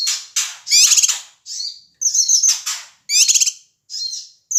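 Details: Noisy calls of a male Sumatran Ashy tailorbird meant to provoke other birds: high, harsh chattering bursts with fast rattled trills and thin whistled slurs, phrases repeated about once a second.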